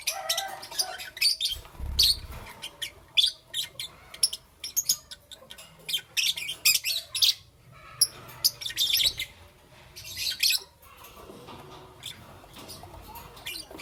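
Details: Dense, busy lovebird chirping in the morning, with many rapid shrill, scratchy high notes and squawks tumbling over one another, easing to a softer hiss at the end.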